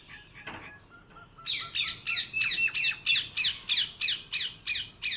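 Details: Parrot starting with quiet whistled notes, then breaking into a long steady series of about twelve loud, shrill squawks, roughly three per second.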